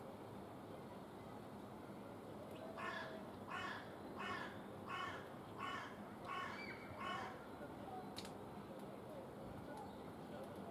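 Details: Great spotted woodpecker recorded on 26 March 2021, giving a series of seven short, sharp, harsh notes spaced under a second apart, followed by quiet background hiss.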